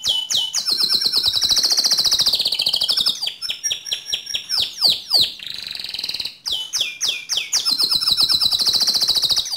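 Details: Canary in gacor song for training other canaries. A high buzzy roll runs several seconds, then rapid descending notes and flourishes follow, with another long trill rising again at the end.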